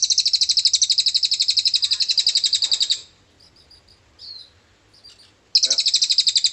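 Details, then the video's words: A cililin delivers long, fast-pulsed, buzzy high trills, pauses for a few soft chirps, then resumes trilling. The song is used to prompt magpie robins to sing. "Buat membantu memancing semua burung murai bisa ada isian cililin"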